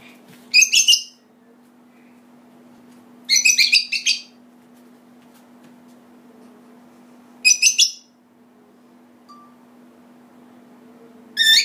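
An African grey parrot gives four bursts of shrill, chattering squeaks, each about a second long and spaced a few seconds apart, over a low indoor hum.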